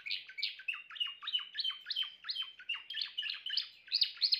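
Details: Steady Timbrado canary song of crisp, evenly spaced downward-sweeping notes, roughly three per second, with ringing tones between them and a brighter burst at the close.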